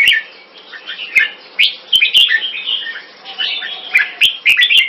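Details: Red-whiskered bulbul performing at a singing competition in Singapore, its first win: short bright warbled phrases separated by brief gaps, slurred whistles and chirps, with sharp clicking knocks scattered throughout.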